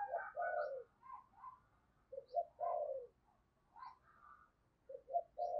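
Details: Spotted dove used as a lure, cooing in thúc and gáy style to draw wild doves: groups of two or three short notes followed by a longer falling coo, repeated about every two seconds over low hiss.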